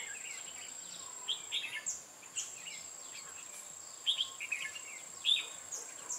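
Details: Red-whiskered bulbul acting as a decoy during a trapping session, 8 October 2017: two clusters of bright chirping warbles separated by a quieter pause, with a constant high whine behind.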